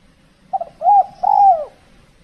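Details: Spotted dove from Kepri, Indonesia, calling during decoy trapping in the cold, extreme season when birds are less aggressive: a short clipped note, then two longer, smooth, mellow coos, the last one gently falling.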